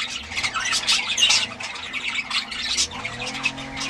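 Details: Parrots in a noisy group, harsh overlapping squawks and scratchy chatter filling the whole stretch, loud bursts rising and falling with no pause, a faint low hum underneath.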